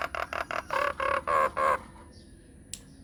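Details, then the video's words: A myna lure call, meant to draw replies from all kinds of mynas, gives four quick, harsh nasal notes, then four longer drawn-out squawks, followed by faint high whistles and a sharp click. "PANCINGAN / MASTERAN SAKTI UNTUK SEMUA JENIS JALAK, JALAK APA SAJA AKAN NYAUT | MYNAH BIRD"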